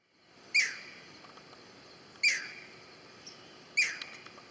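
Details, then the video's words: A young green heron in a wetland gives three sharp, high, harsh calls, each dropping quickly in pitch, spaced about a second and a half apart over a quiet background. "green heron young, sound"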